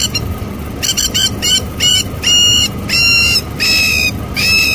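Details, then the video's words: A panicking plover gives a hurried run of loud, shrill piping notes with a nasal edge, roughly a dozen in five seconds, over low rumbling background noise. "This Plover is panicking"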